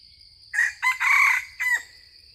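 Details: Yellow-coloured junglefowl lured by a decoy crows loudly in four harsh, strained bursts over about one and a half seconds, the middle burst longest and the final note falling away, over quiet insect hum.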